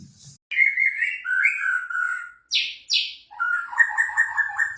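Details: White-rumped shama in "bawel baceprot" style, played to provoke other birds into replying: long clear whistles, two sharp high bursts, then a rapid warbling string of notes.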